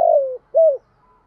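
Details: Spotted dove calling and challenging to fight: a long trilled coo slowly falling, then a short arched hooting note, low and mellow.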